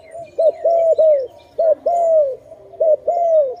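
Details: Dove calling loudly during bird trapping: clear, hollow cooing notes that bend down at the end, given in three short bursts of two or three coos each, with faint chirps from other birds behind.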